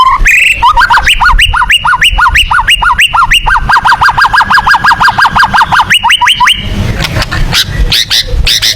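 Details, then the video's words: Tembakan song of a white-rumped shama (murai batu), called fitting for contest birds: a fast, even series of sharp rising-and-falling notes, roughly three per second, running for about six seconds before a short varied ending. "TEMBAKAN MURAI BATU"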